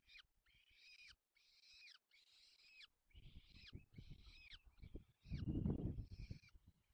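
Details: Peregrine falcon feeding chicks, Barycz Valley, Poland, 4 May 2020. A clean series of harsh arched squeals repeats about once per second, then louder thudding and rustling drowns out weaker notes.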